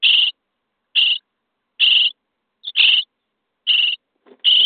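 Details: Raspy, hissing begging calls from common starling nestlings being fed in a nest box, day 23, come about once a second, with a brief softer note slipped between two of them.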